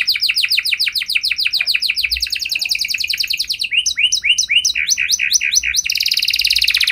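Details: Canary in full 'gacor' song, meant to set other canaries singing in reply: a run of high descending sweeps, then a faster trill, crisp repeated short notes, and a dense buzzy roll at the end.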